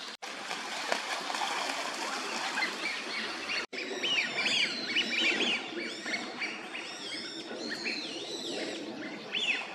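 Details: Eurasian wigeon, a winter visitor in a park pond, Junsai-ike green space, Chiba, Japan, November 2023: many overlapping whistled calls from a flock, rising and falling notes repeated rapidly, with background chatter.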